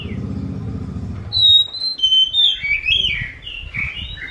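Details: Oriental magpie-robin singing a whistled phrase of long sliding notes and short slurred chirps, starting after a second of low rumbling background.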